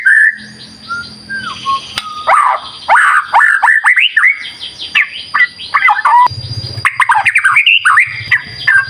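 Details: Vigorous murai batu song for luring other birds: a sustained whistle and descending slurs, then dense clusters of sweeping whistled notes and chatter, with a low hum in the background at times.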